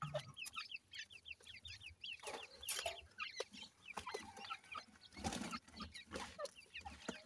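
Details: Many grey francolin chicks for sale at Multan cheeping together: quick, high, falling peeps overlapping in dense runs, broken by loud rustling and bumping noises from the enclosure.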